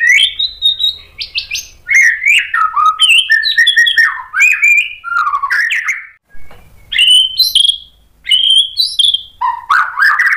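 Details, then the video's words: Loud, varied song of a white-rumped shama meant to provoke other shamas, mixing sweet whistles, harsh squeaky notes and rapid jumps in pitch, in dense phrases with brief pauses. "KICAUAN MURAI BATU bikin NYAUT EMOSI jadi BUNYI GACOR NGEPLONG BONGKAR ISIAN | PANCINGAN MURAI"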